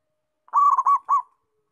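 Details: Local zebra dove (perkutut, Geopelia striata) singing actively, cooing one soft, mellow phrase: a held coo breaking into two quick rounded notes, low and clear against silence.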